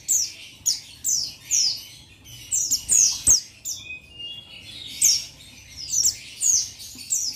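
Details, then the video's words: Busy run of thin, high-pitched descending chirps and brief trills from a male buxtoni Oriental white-eye calling a rival, with a sharp click around the middle. "Buxtoni Memanggil Lawan Memancing Bunyi Jantan"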